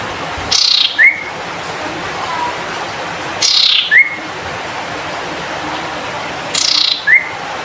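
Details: Cinereous tit (sirtu) in full song, giving three matching phrases roughly every three seconds. Each starts with a sharp falling buzzy sweep and ends in a brief upslurred whistle, with constant faint hiss behind.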